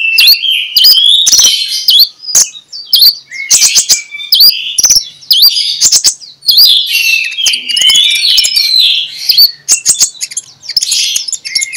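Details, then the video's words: Morning lure song of a magpie-robin in ngeplong style, meant to make quiet magpie-robins start singing: a dense, loud stream of sweet whistles, rising and falling slurs, chattering buzzes and crisp ticking notes without pause. "2 Menit di Pagi Hari MENJUR untuk PIKAT Konin Lelet jadi NGOBRA, Menggunakan Suara KONIN Ngeplong"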